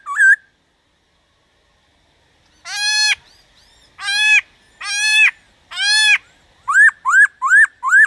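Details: Black-throated laughingthrush song for stimulating other laughingthrushes: one brief whistle, a pause, four harsh buzzy drawn notes, then a quick run of rising whistles.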